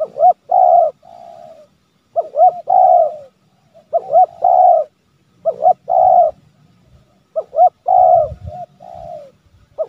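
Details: Spotted dove pressing call used to lure wild birds closer; clear mellow coo phrases of three or four notes, the middle notes loudest, repeat about every two seconds over a quiet background.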